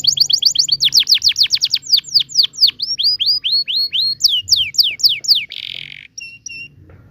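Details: Long rolling canary song for tutoring young canaries: a very fast trill of downslurred notes slowing into separate rising whistles, a brief buzzy note and a few faint high pips at the end.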